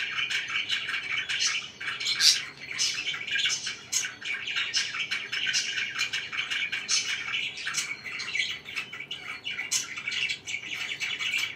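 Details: Several pet budgies chattering together: a dense, unbroken stream of rapid high chirps and scratchy warbling, with a few sharp, piercing tweets standing out now and then.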